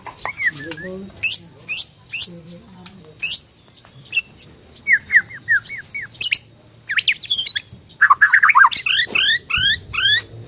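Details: Borneo white-rumped shama song aimed at provoking shamas to sing and fight; spaced single high sharp notes, soft lower calls, then a dense burst of rapid rising whistles and chirps.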